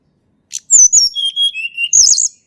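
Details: Mountain tledekan song used as a lure to get reluctant birds singing: a short burst of high, twisting whistles and buzzy notes, dropping to a steady mid-pitched whistle, then a bright warbled flourish at the end.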